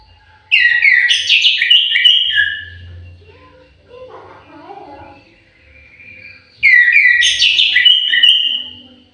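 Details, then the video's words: Melodious song of an orange-headed thrush in an aviary: two loud phrases of rapid, slurred whistles about two seconds long, a few seconds apart, with soft lower murmuring sounds in the pause. "KICAU MERDU BURUNG ANIS MERAH"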